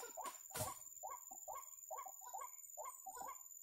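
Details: Ruak-ruak, the white-breasted waterhen, at a trap: hooked mid-pitched croaks repeated two or three per second, opening with a sharp broadband knock, over a constant thin high-pitched tone.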